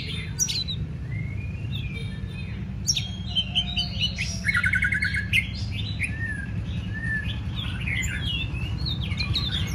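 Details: White-rumped shama in contest training, scattered whistled slurs and chirps with a fast rattling trill near the middle, over a strong low background rumble.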